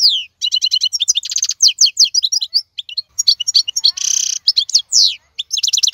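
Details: Strong wild European goldfinch from the 2022 season: quick jingling notes, clipped chattering phrases and a loud nasal buzz midway, then further down-slurred twitters.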